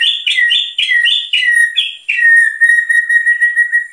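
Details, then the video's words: White-rumped shama singing loudly, said to provoke other birds: six rapid two-part whistled phrases dropping in pitch, then one long steady whistle. "Murai Batu Gacor Tembakannya Bikin Emosi Burung lain"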